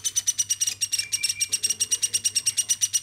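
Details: Woodpecker raised by hand from a baby calls without pause in a small room, giving rapid, evenly spaced, high ticking notes about seven each second over a quiet low hum.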